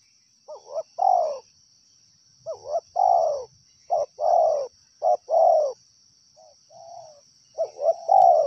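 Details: Wild spotted dove calling steadily: repeated phrases of quick rising notes ending in a long falling coo, about five in a row, with a softer distant coo, and a steady high insect hum.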